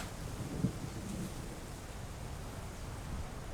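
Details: Steady rain hisses throughout, with a brief thunder crack early on and a low, continuous rumble beneath.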